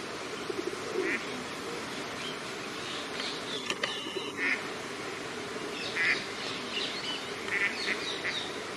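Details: Eurasian coot family with four chicks in Friedrich Ebertpark, Ludwigshafen; short sharp nasal calls burst out several times, clustered near the end, over steady background noise with faint small-bird chirps.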